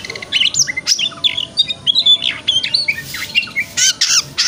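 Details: Morning white-rumped shama song meant to rouse another shama into opening its tail; the ngeplong style comes as a fast jumble of chattering, squeaky and whistled notes, sharp buzzy bursts and varied slurs.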